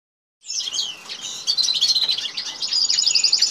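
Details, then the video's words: Goldfinch and canary during mating, singing a dense, high twittering song of rapid chirps, buzzy trills and sharp whistled notes that starts abruptly after a brief silence and continues without pause. "Saka kanarya çiftleşme"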